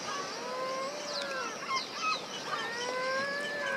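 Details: At Alvor, Algarve, Portugal, yellow-legged gulls, one adult and three juveniles, give drawn-out, slightly wavering wailing calls rich in overtones, overlapping one another, with faint higher squeals behind.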